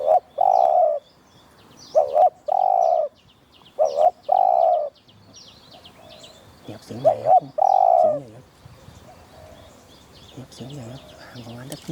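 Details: Wild Spotted Dove with a deep voice, about 20 m away, calling back to a caged decoy dove during a hunt; low mellow coos in bursts of one to three notes, then softer coos mixed with a man talking and faint music.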